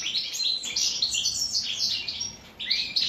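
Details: Goldfinch in captivity, fed cucumber, delivering its native wild song of Morocco and Algeria. A quick burst of sharp, tinkling, buzzy high notes dips briefly before resuming.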